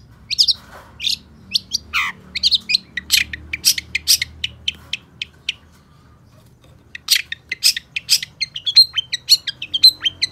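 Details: Long-tailed shrike (cendet) in full gacor singing: a rapid run of dry clicking and chattering notes, a short pause, then quick squeaky whistles and chirps trailing into thin high tones.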